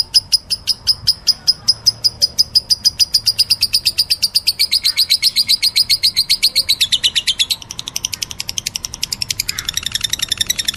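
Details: Meloloh-type lovebird chatter, a continuous quick series of high, squeaky chirps that grows denser and harsher in its final seconds.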